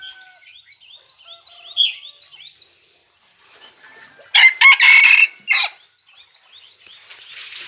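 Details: Red junglefowl on 3 March 2020 giving a loud, harsh crow of about a second after a run of quick, repeated high chirping notes from other birds.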